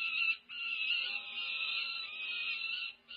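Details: Near-fledging peregrine falcon chicks, over five weeks old, begging at a feeding on a UC Berkeley nest cam, May 2023: one unbroken, rasping, buzzy wail held throughout, dipping briefly twice.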